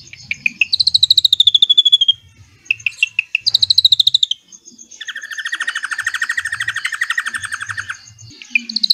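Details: Drongo song with cililin filling, played to train white-rumped shamas: rapid ringing trills alternate with brief chip groups, followed by a long lower, richer trill of pulsed notes lasting about three seconds.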